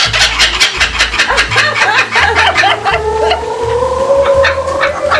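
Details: Laughing kookaburras at Bee City Zoo, Cottageville, South Carolina, on 21 July 2021, cackle in rapid, rolling hoots that rise and fall, over a steady low hum and a rising tonal whine near the end.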